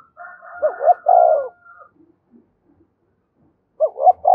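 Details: Spotted dove coo for provoking fights, one full phrase of two rising notes and a long falling coo over a faint higher hum, then a new phrase starting at the end.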